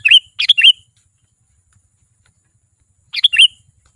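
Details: Lively Sooty-headed bulbul song used to attract wild bulbuls: a cluster of three bright, bubbly notes at the start, a long pause of silence, then a matching three-note phrase near the end.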